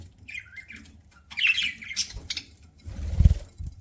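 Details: Pet budgerigar eating and chirping: a few slurred, warbling chirps and a squeaky burst, followed by a deep thump and rumble near the end.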